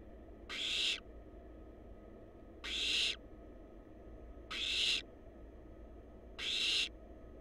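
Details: Nestling barn owls in a wild nest box under scientific monitoring: four harsh, noisy hissing bursts, each under half a second, repeat about every two seconds over faint room hum.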